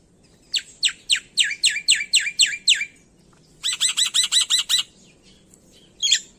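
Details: Lively, full-fill song of a Black-winged myna, an Indonesian endemic mimic: a string of about eight loud downslurred whistles, a short pause, then a rapid burst of stacked buzzy chirps and a final harsh note.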